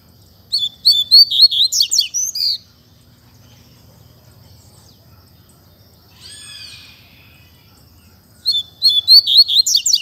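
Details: Double-collared seedeater (coleiro) singing in the spirited 'canto fibra' style: two bursts of rapid, high twittering notes with sliding whistles and buzzy trills, separated by a quieter pause with a faint distant call.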